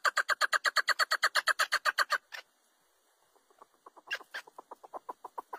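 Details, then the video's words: Chukar partridge, national bird of Pakistan, giving a fast run of harsh, clucking chuck notes, about seven a second, breaking off, then starting again softly and building. "چکور اور اس کی خوبصورت آواز"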